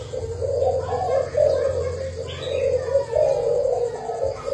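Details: Thai-line decoy spotted dove cooing in low, rounded phrases about twice a minute, with brief breaks between bursts and a quiet background hum.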